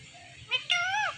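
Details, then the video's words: Indian ringneck parakeet speaking two short, nasal, word-like sounds, the second longer and drawn out with a falling tone, over steady low indoor background noise. "Ringneck Talking Parrot"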